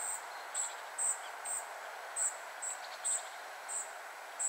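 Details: A family of spotted flycatchers in central Poland gives thin, very high 'tsee' notes, about two per second in a steady, slightly uneven series, over a soft background hiss.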